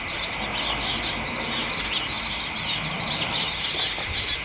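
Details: Late afternoon in a garden hedge at the start of December, house sparrows and other birds chatter in a thick twittering chorus, with a soft low background rumble and a steady high whine.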